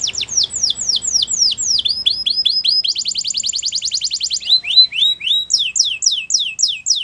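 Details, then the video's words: Wild canary in morning song, chaining quick tours: descending slurred notes, short rising chips, a buzzy trill, then loud sweeping repeated syllables. "Wild Canary Singing In The Morning"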